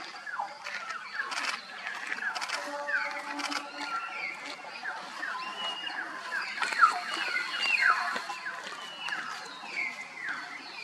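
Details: Common hill mynas (Gracula religiosa) at Rongtong, West Bengal, India, in March 2023 give a busy run of loud whistles, sharp slurred notes and gurgles, rising and falling and overlapping almost without pause, over a soft low hum.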